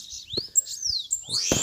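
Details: Bananaquit from Alagoas during a fight with a rival: high, thin sliding whistles rising and falling, broken by loud clicks and bumps of handling.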